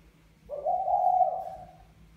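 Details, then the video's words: Courting male spotted dove calling to a female: a single drawn-out, husky coo holding an even pitch for over a second before tailing off, with a faint low hum beneath. "Chim Cu Gáy Mã Phấn Thúc Mái Bài Lối"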